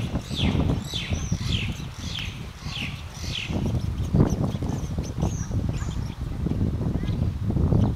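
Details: Seychelles sunbird (Nectarinia dussumieri), female and male on Curieuse Island, Seychelles, in May 2004, gives a run of sharp, high, downslurred chips, roughly one every 0.7 seconds, then thin high whistles, over heavy low wind rumble.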